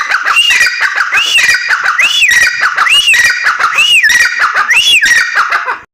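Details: A female grey francolin repeating a loud, strained arched call, each note rising and falling, roughly one and a half per second across the whole stretch, with rattling clicks between notes, ending abruptly.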